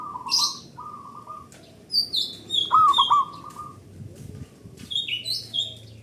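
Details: Loud local zebra dove used as a singing lure: two rapid pulsed coo runs at the start and another mid-clip, mixed with busy high whistles and chips from other birds.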